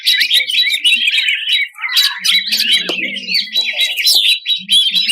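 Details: Contest-champion greater green leafbird from 2021 delivering harsh 'tembakan kasar' phrases: a busy, scratchy jumble of quick chirps and sharp notes with a short pause midway.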